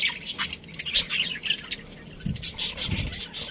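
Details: Budgerigars in a breeding colony, chattering with scratchy, high chirps and warbles in short overlapping bursts, with a few low thumps in the background.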